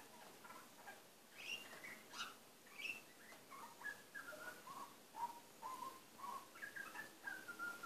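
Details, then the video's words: Butcherbird, a pet male, quietly singing to himself indoors: a rambling run of varied whistled notes, some sliding up or down, others short and chirpy, delivered in a soft continuous stream with faint background hiss. "Bebe the butcherbird talking to himself"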